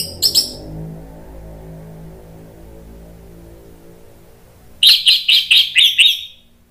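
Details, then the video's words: Orange-headed thrush singing to provoke other thrushes into replying: a short high chattering burst, a long quiet gap with low hum, then a quick run of about seven bright repeated notes in close succession. "ANIS MERAH GACOR MATERI PEDES bikin NYAUT NGEPLONG"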